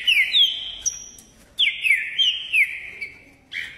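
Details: Caxias, Rio de Janeiro trinca-ferro (green-winged saltator) giving ordem e pressão song: two strong whistled phrases of sliding notes separated by a short gap, then the start of a third phrase.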